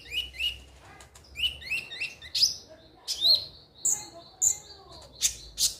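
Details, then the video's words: Ruby-cheeked sunbird sound meant to prompt other birds to sing: high twittering phrases of quick paired notes, interspersed with piercing whistled squeaks and short slurred chips, delivered in loose bursts with short gaps. "pancingan suara burung KONIN"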